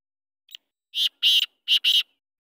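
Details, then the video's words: Free-roaming black francolin gives a harsh, grating phrase: a faint lead-in click, then two pairs of loud rasping notes over about a second, with no other sounds. "Kale teetar ki bahut hi acchi awaaz"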